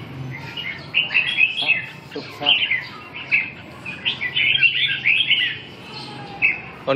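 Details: Chào mào, the red-whiskered bulbul, Binh Dinh type, singing repeated lively warbled phrases over about seven seconds, with a few clicks and brief speech in the background.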